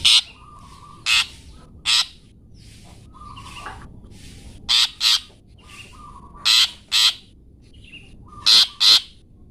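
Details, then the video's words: Long-tailed shrike, 'toet toet' material for training songbirds: loud, harsh rasping bursts, often in pairs, separated by pauses of one to two seconds, with a faint low steady tone between some bursts. "masteran burung cendet toet toet"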